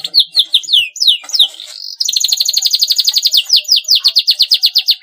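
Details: Canary song used to stimulate young canaries to start singing: loud, fast high-pitched twittering with sweeping whistled notes, then a rapid buzzy trill of repeated notes and rolling chirps.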